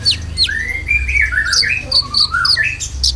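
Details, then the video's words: Lure song used to stir caged Konin birds: a lively run of whistled notes rising and falling, with quick high chirps between them and a constant low background hum. "PANCINGAN KONIN ISIAN"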